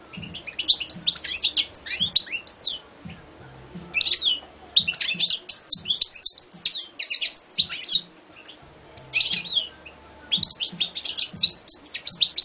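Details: European goldfinch, a champion competition bird, pouring out fast, dense twittering and tinkling phrases almost continuously, broken by short pauses, with faint low knocks underneath.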